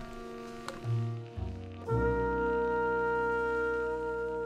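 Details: Brass instrument music with sustained trombone-like tones and a new held chord entering near the two-second mark; no animal sound.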